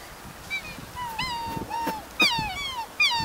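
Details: Black swans calling in a wetland as a group watches two of their kind fight: repeated clear, musical whistled notes, some bending upward then falling, given about every half second, each one short and bugle-like.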